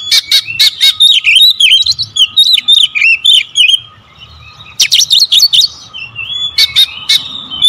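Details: Magpie-robin song in the rapid 'tembakan rapat' manner, sung as a lure: a fast run of sharp explosive notes and looping whistles, a sustained level whistle, a short gap, then further bursts and trilled phrases.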